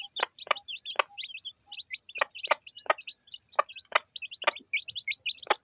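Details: In a village, a hen and her chicks eat food: rapid, high-pitched chick peeps, often paired, with regular loud sharp clicks spaced about half a second apart.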